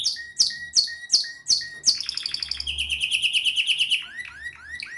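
A canary sings a varied, fast song: sharp sweeping chips, a rapid high rattling trill, then looping rising whistles, all bright and high-pitched.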